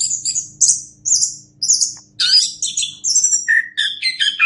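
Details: Master recording of an orange-headed thrush singing to teach other birds: bright high whistled notes and slurred phrases, then denser scratchy mimicry-like bursts, over a faint low hum.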